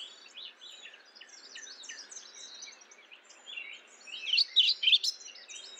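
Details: Over a soft chorus of distant twittering birds, a mourning warbler breaks in near the end with one loud burst of quick, rich chirping notes.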